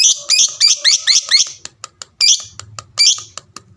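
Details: Fighter-type lovebird, a pet bird calling to draw answers from other lovebirds: a rapid run of six shrill squeaky chirps, then two more spaced chirps among small clicks.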